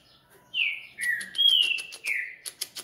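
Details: Captive-bred Coleiro (double-collared seedeater) giving a phrase of four loud, clear whistled notes that slur downward, ending in quick sharp ticking clicks.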